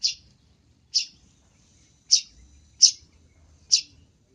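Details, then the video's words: Luring sound of the long-tailed shrike: five sharp, grating notes at uneven intervals of about a second, with quiet between. "Suara untuk pikat Pentet"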